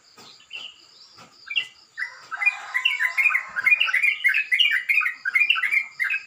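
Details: Sooty-headed bulbul in the morning with a rough, rapid song: a few scattered soft notes, then a sustained fast chattering, bubbling run of jumbled notes for the last four seconds.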